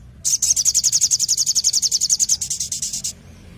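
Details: Orange-headed thrush singing hard with a 'tembakan' burst: one sustained, very fast, evenly repeated high note train lasting nearly three seconds, with a brief break near the end, over a faint low rumble.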